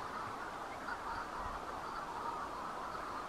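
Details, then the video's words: Manx shearwaters near the bird observatory on Bardsey Island give a dense, unbroken chorus of harsh, raucous calls, rough and throaty like hoarse quacking, with many birds overlapping throughout. "The Sound of Manx Shearwaters"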